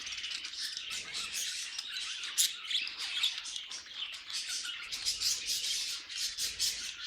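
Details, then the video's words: Several pet budgerigars singing together: dense, continuous chattering warble of scratchy chirps and squeaky notes, with bursts of sharper squawks rising and falling throughout. "Budgies Singing and Being Cute"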